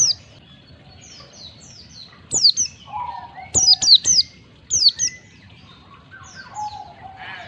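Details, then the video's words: White-eye used as a lure to prompt caged white-eyes to sing in the ngalas style. Short, very high chirps slide downward, in loose clusters of two or three, with a lower steady whistle and a faint hum behind. "Pancingan pleci agar cepat ngalas buka paruh, masteran pleci cepat ngalas"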